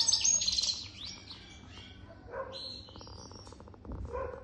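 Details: Adult European goldfinch, older than three years, opening with a loud burst of high twittering, then quieter scattered chirps and whistled notes with a soft rapid ticking in the background.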